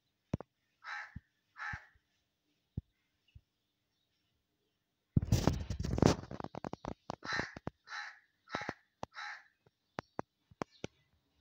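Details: Crow in a natural outdoor setting giving harsh, hoarse caws: two spaced caws at the start, a burst of clattering and tapping noise, then a run of four caws about half a second apart, with scattered sharp clicks.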